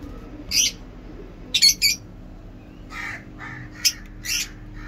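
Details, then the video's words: Caged lovebirds in a breeding setup: harsh, buzzy chirps in short bursts, some single and some doubled, scattered irregularly over five seconds against a low background hum. "Lovebird chirping"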